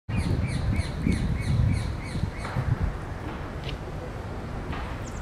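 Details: A ringed Brambling in the Jardin des Plantes, Paris, gives a quick series of short, clipped notes, about four a second, that fade after two seconds. Steady low rumble of city traffic underneath.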